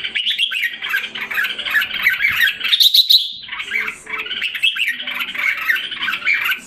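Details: Red-whiskered bulbul caged in Singapore, recorded July 2017 while recovering its health and form. It sings continuous, rambling warbles and chirps with a short break near the middle and a high trill.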